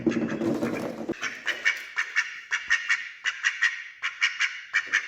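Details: Male and female ducks quacking while eating together, wary of a person feeding them; after a second of rustling, a steady series of short harsh nasal quacks, roughly one or two every second, continues to the end.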